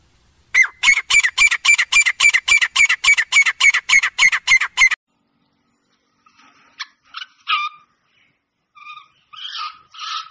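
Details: Female black francolin call said to draw wild males: a rapid, very regular run of harsh clicking notes, roughly three or four each second, lasting about four seconds, followed by a pause and a few scattered squeaky notes.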